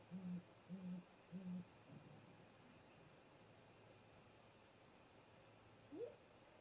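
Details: Male and female great grey owl at their nest snag, late afternoon, 13 April 2018, remote camera. Three quick deep hoots, then a long silence ending in a single rising, upslurred call.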